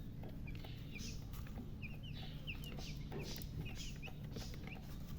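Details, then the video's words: Freshly hatched chicks give softer, scattered high chirps that slur downward, spaced irregularly against a heavy low-frequency background rumble. "Tot Murgi chicks chirping sounds Just Born Baby Gallina FRACAS Chicks Piar Loudly Sound"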